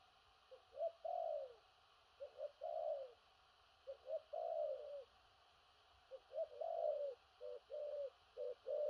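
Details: Big-bodied spotted dove delivering thổ rặc cooing with stuttering gù cà lăm notes: clipped low hoots doubled before longer falling coos, phrases following closely, the last ones breaking into quick short notes.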